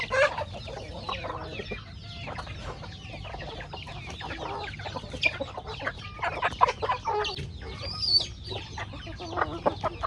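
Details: Hungry backyard chickens feeding on corn in a rustic farmyard; steady soft clucks and short peeping notes from many birds overlap throughout, with a louder burst of calls in the second half.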